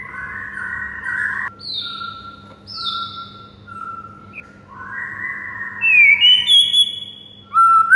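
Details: White-rumped shama morning masteran song for teaching other birds: long sustained buzzy whistled tones at varying pitch, some jumping higher, then bright rising slurred whistles and a sudden loud note at the end, over a faint background hum.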